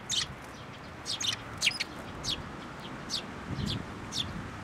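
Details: Sparrow parent bird at a Tenmangu shrine, 16 May 2024, arriving for food then turning aggressive: a quick run of bright, slightly harsh chirps clustered in the first two seconds, then sparser notes, faint background rumble.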